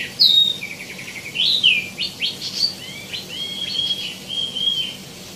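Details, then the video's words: Wambi mini (tieumi) in full song with rich varied phrasing: a sharp high note, a quick buzzy series, then clear slurred whistles and flat sustained notes, over faint low background hum. "KICAU BURUNG WAMBI MINI ( TIEUMI ) GACOR | ISIAN MELIMPAH"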